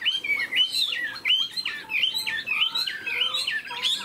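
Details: Tame caged Chinese hwamei, spread-tailed and showing an eagle-like wing display, pours out fluid whistled phrases, quick up-and-down slurs run together, with a longer falling whistle midway.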